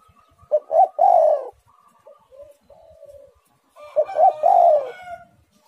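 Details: Spotted dove repeating its song twice, each phrase short coos leading into a long, slightly falling rolled coo; soft lower coos and faint whistles fill the pause between.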